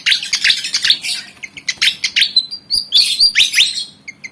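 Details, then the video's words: Black and white Javan fantail, eager to fight, pours out a rapid, loud, scratchy twitter with high squeaky whistles, fading to a few soft chirps. "Burung Kipasan Jawa Ngotot Liat Pengen Tarung"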